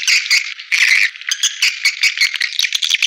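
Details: Swiftlets twittering in a playback meant to attract them to bird houses: a continuous, rattling high chatter of overlapping chirps with uneven loud swells.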